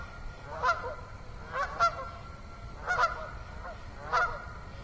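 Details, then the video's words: Geese honking on an autumn evening at Assabet River National Wildlife Refuge, 6 October 2014: five nasal, harmonic-rich honks spaced unevenly over about four seconds, with quiet background between calls. "Autumn Evening with Beaver, Geese, Katydids and Others"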